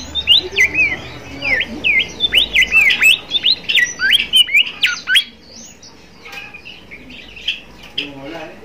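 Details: Bimoli song used to tutor young bimoli and encourage them to sing: a fast, lively stream of sharp chirps and swooping whistles for about five seconds, then quieter scattered notes.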